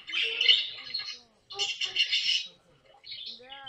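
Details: Pet caique at home in funny moments; two long bursts of rough, buzzy chatter separated by a short gap, then a rising whistled note at the end, with faint speech mixed in.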